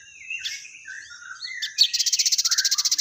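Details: Sogon, or crested jay, singing actively with fighting-sparrow material: soft jumbled warbling notes give way to a loud, regular, buzzy rattle of fast pulses, accompanied by a continuous high-pitched hiss.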